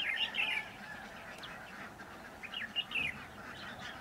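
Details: Red-whiskered bulbul singing near a trap, two bright warbled phrases of rapid up-and-down notes, one at the start and one after about two and a half seconds, with quiet rustling between.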